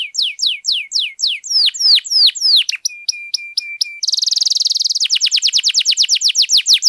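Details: Canary pouring out long, intense song to set other canaries singing: looping downslurred whistles, a row of short level notes, then a loud dense buzzy roll that breaks into quick separated downslurs.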